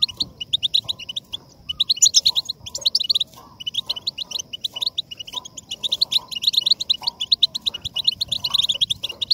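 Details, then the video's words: European goldfinch song played to stimulate singing: fast, bright twittering and tinkling chirps, dense and continuous, rising into high liquid trills with brief pauses; faint softer sounds below. "La voz del jilguero para motivar el canto"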